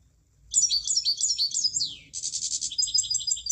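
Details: A munia sings high, squeaky twittering notes that slide downward. A brief break follows, then a fast, rattling high trill of even pulses. Soft low rumble in the background.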